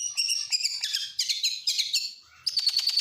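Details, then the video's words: {'caption': 'Oriental magpie-robin imitating lovebird, canary and prinia: rich, fast warbling with high twittering notes in quick groups, a short lull, then a rapid stuttering run of piercing notes on one pitch.'} "Masteran burung KACER FULL ISIAN | Kacer Nasional isian lovebird kenari prenjak"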